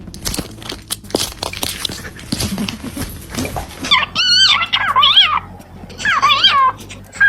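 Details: A pet parrot indoors gives harsh, wavering squawks in three bursts, rising and falling in pitch, after rustling and clicking noises while its owner talks to it.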